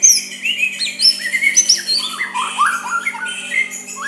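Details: Provoking soft song of a white-rumped shama directed at a rival. A chain of short whistled notes steps gradually downward, then picks up with slurred phrases, all over a faint continuous hum.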